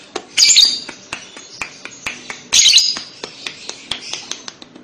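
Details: Lovebird calls meant to prompt young lovebirds to respond. Two shrill, grating squawks about two seconds apart stand out over a steady series of dry ticking clicks.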